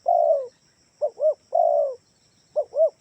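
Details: Spotted dove lure call to make home doves respond: a long, hoarse, slightly falling coo followed by a quick pair of arched notes, the pattern given twice, with a faint high whine behind.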